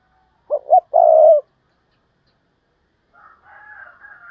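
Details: Decoy spotted dove in thúc bổi calling to draw in wild doves: two quick low coos and one drawn-out coo. After a pause, faint, higher twittering chatter follows.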